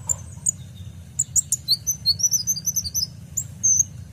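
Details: Purple-throated sunbird (kolibri ninja) song recorded for training caged birds: rapid, thin, very high tinkling notes run together into a jittery trill, ending in a drawn-out high whistle, soft hum beneath.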